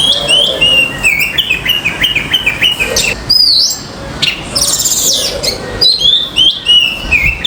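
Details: Common myna calling on a balcony: a quick series of sharp, slightly falling notes repeated several times a second, mixed with higher thin chirps from other small birds and a few louder rasping bursts.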